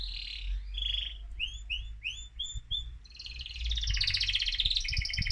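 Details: Excited male mosaic canary singing to stimulate other birds: fast varied trills and whistled rising notes, ending in a dense buzzy warble, with low background rumble.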